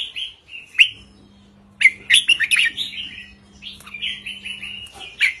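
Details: Short red-whiskered bulbul song from a caged bird, in the 3-4-5 note-counting style played to rouse listening birds: a lone whistled note, then a dense run of bright, bubbling warbles and downslurred phrases continuing to the end, with a steady low hum.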